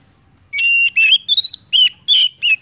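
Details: Oriental magpie-robin song, played to encourage other birds to sing: about six loud, pure whistled notes in quick succession, gently rising then falling in pitch.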